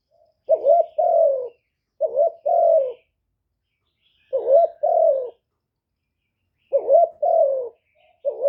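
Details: Spotted dove used to draw in wild doves, recorded directly with no background noise; steady paired coos, a quavering short note then a held descending note, about four phrases.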